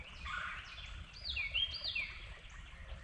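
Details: Red-bellied woodpecker being territorial, calling a short series of clear, descending slurred notes, some overlapping, above a quiet low hum.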